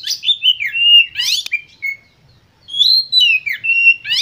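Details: Oriental magpie-robin (kacer) giving an agitated, emotional lure song meant to stimulate other kacer to sing: clear whistled phrases with sliding notes and harsh rasping sweeps, then a short silent gap before another burst of whistles.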